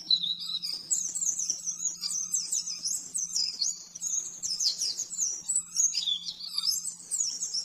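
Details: Master song of the oriental white-eye for training caged birds: continuous rapid, high twittering with quick up-and-down slurs and trills, faint steady hum underneath.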